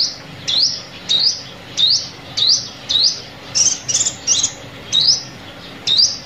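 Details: Repeated high rising chip notes of a sunbird, mostly evenly spaced with a brief quicker cluster midway, around eleven in total; a decoy call for trapping.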